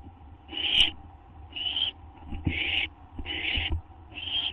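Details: Owl on a live cam expecting a gopher or vole treat, after midnight on 8 September 2011: five rasping, hissy screeches spaced under a second apart, each about half a second long, over low hum and light thumps.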